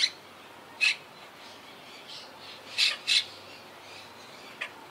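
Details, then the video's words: Wild Quaker parakeets from a colony living high in trees, a colony that lost about half its members to hurricane Irma in 2017; a few harsh, short squawks, singly and as a quick pair, spaced by quiet gaps. "Yacht Club Colony Retrospective🌴 Clips and Sounds 🦜"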